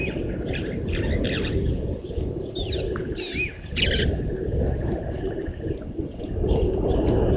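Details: A Rattling Cisticola below the waterhole cam at Gowrie dam, Djuma Game Reserve, Sabi Sand, South Africa, at 06:31 on 13 September 2023, sings sharp, high chipping notes and quick sweeping phrases in short bursts over a low rumble of wind or distant hum.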